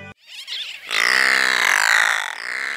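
A brown noddy gives one drawn-out, harsh, nasal croak lasting about two seconds, steady in pitch and rich in buzzy overtones, after a few faint scratchy sounds.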